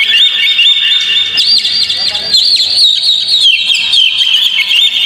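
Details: Oriental magpie-robin song used as a trigger for a caged bird: a fast, shrill jumble of chirps and whistled glides that keeps going with no gaps.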